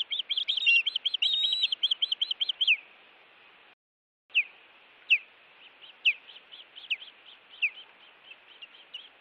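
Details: Osprey alarming at intruders near its Montana nest, live cam, 16 June 2017 evening; a fast run of high whistled chirps, a short gap of silence, then slower, separate downslurred whistles with softer chirps between.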